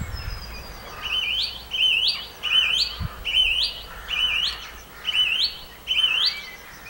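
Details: Song thrush singing at Campbeltown in April 2012: one bright, sharply rising whistled phrase repeated about seven times in a row, roughly once a second, over a quiet background.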